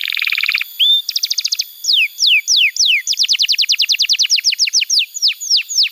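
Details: Canary song meant to get young birds singing: a buzzy rattle, one rising whistle, a brief fast trill, then a long run of evenly repeated descending whistled notes, about three per second at first and quickening.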